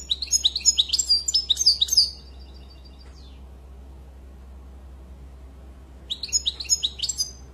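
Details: European goldfinch song: a rapid burst of bright twittering, liquid notes for two seconds, a faint thin trailing note, a long quiet gap, then another short twittering phrase near the end, steady low hum beneath.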